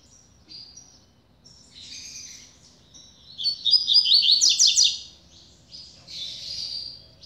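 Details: Newly acquired caged double-collared seedeater singing: high thin whistles, then a loud dense burst of rapid twittering notes, ending with a softer trill.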